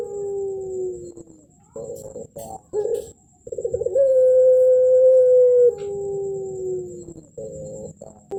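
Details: Champion contest puter, or Barbary dove, giving its 'melung ujung tebal' coo: short rough cooing pulses, a sustained level tone nearly two seconds long, then a lower gliding note trailing off, with a thin steady electronic whine behind.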